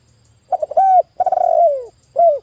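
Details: Vigorous spotted dove used as a calling lure: a broken, stuttering start, a clear held coo, a long vibrating coo gliding downward, then a short curved coo closing the phrase.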